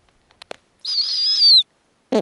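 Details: Snowy owl on its nest while the female feeds small owlets, the oldest about two weeks old. One long, slightly wavering, high squealing whistle of almost a second, framed by short clicks and a dull knock.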